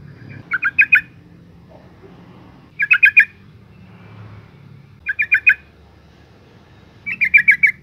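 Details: A female yellow-vented bulbul calls to rouse males: four bursts of rattling chatter, each of three to six fast notes, spaced about two seconds apart against a quiet low hum.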